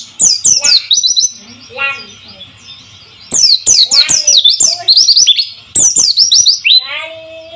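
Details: White-eye song meant to stimulate silent birds to sing: three rapid bursts of high, sharply falling chirps, each lasting about a second, separated by quieter gaps with a few lower slurred notes.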